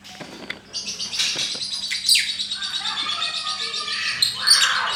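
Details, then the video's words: Lovebird in ngekek, a long continuous chattering song: after a few clicks it bursts into a dense, high, rapid trilling chatter that runs unbroken for over four seconds, with louder squeaky accents near the end. "Bagaimana cara agar Love Bird mau Ngekek...???"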